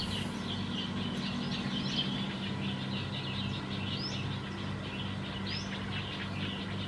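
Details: Black-headed bulbul, Phetchaburi province, Thailand, December 2020: steady chatter of soft high notes punctuated by a few clear upward-sweeping whistles, with a constant low hum throughout.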